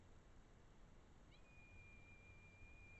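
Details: Red kite in the Eifel, Germany: one long, steady, high whistle that starts with a brief upward flick and holds level for about one and a half seconds, over a low rumble of background noise.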